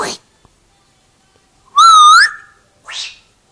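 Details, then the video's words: Pet African grey parrot that mimics a grandmother's voice in Gujarati: a brief harsh note, a pause, then one loud pure whistle dipping and rising at the end, followed by a short breathy squawk; a person says bye. "my African grey talking in Gujarati"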